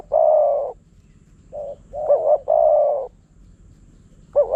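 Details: Spotted dove in Phrae, Thailand, a wild bird drawn by a decoy. A long, steady coo opens, then short soft notes and a loud phrase with a quavering double note before another drawn-out coo. A fresh phrase starts at the end.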